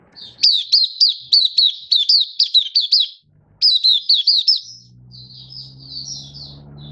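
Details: Malaysian white-eye, a hobby bird, singing openly in Singapore on a stable, warm, sunny 20 March 2023: rapid high chirpy notes in quick series, a short pause, another burst, then softer twittering over a low hum.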